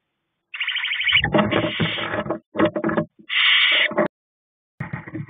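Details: Two intertwined owlets in a nest box, left alone briefly by the female at night, chittering loudly to each other: harsh, raspy, buzzing bursts, one long stretch of about two seconds, then shorter blasts separated by brief silences.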